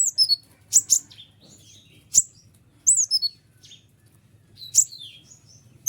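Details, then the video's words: White-winged triller song, sharp and clear, for training other birds: a few high piercing chips and falling slurred whistles separated by short pauses, a little quieter than a full burst. "konin sayap putih unik full nembak rapat tajam suara jelas paling bagus untuk masteran kolibri ninja"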